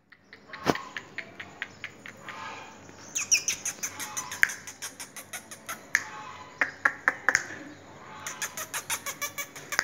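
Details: Black francolin (Francolinus francolinus) giving harsh, grating calls built from rapid runs of dry clicks, several bursts each lasting about a second, over a faint background hiss.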